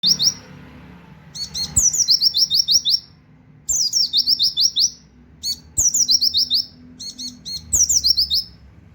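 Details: Oriental white-eye singing a 'tembakan wit wit kenari' style song, used as a master for training songbirds. High, sharp phrases, each a downslurred opening note followed by five or six rapid chipping notes, repeated four times with short pauses between.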